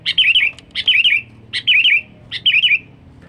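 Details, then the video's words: Lure call of a sooty-headed bulbul for attracting wild birds: four cheerful, warbling phrases repeated roughly every three quarters of a second, each a quick tumble of liquid whistled notes, with a faint low hum beneath. "SUARA Panggilan kutilang Gacor,BUat Pancingan burung liar"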